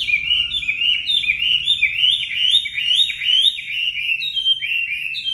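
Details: Loud continuous song of a caged Chinese hwamei used to train birds, a steady stream of bouncing, slurred whistles repeated rapidly without pause.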